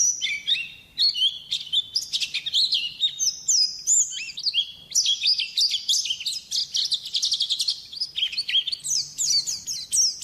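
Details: White-eye song used as a training recording to get caged songbirds singing: a continuous, rapid, high twittering of short slurred whistles and chips, rising and falling without pause across ten seconds.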